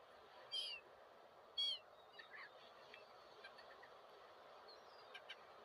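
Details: Two loud, harmonic gull cries about a second apart open the sequence, followed by fainter, scattered chatter of other birds in the distance over background noise.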